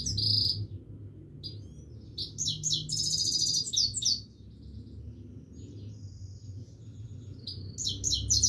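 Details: A Himalayan goldfinch sings on and on, giving high tinkling phrases, fast buzzy trills and scattered twitters with brief quiet gaps and a thin sustained note, over constant low hum.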